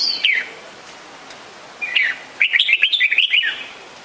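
Red-whiskered Bulbul giving a lively run of bright, bubbly chirps, rising and falling quickly after two short opening notes, with quiet background.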